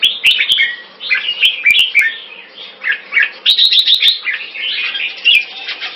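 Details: Red-whiskered bulbuls kept as cage birds in Singapore, two males matched in a singing contest; continuous rich warbling phrases, rapid chirps and slurred notes repeated several times per second, with occasional sharp clicks.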